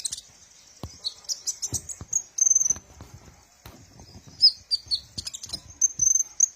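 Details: Sunbird song, used as a lure for training captive birds: fast, very high, buzzy twitters running almost continuously, with sharp ticks and short loud chattering bursts throughout.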